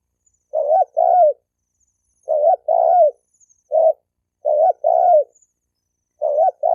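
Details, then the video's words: Spotted dove cooing to incite male and female birds to fight: several paired low coos plus one lone short note, hollow and rolling, at an uneven pace. "Tiếng chim cu gáy kích bổi kích trống mái gáy gù đánh nhau"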